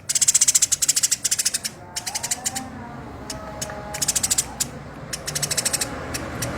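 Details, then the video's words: Tame Eurasian tree sparrow in rough, rapid-fire chattering, used as tutor audio for songbirds: dry buzzy rattling bursts, each about half a second, repeated in quick series, with faint tonal sounds underneath. "Burung Gereja Gacor Jinak Tembakan Kasar"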